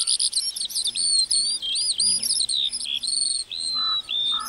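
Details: A singing lark in a meadow pours out a dense, high warble of chattering notes and slurred whistles, with a couple of lower chirps near the end.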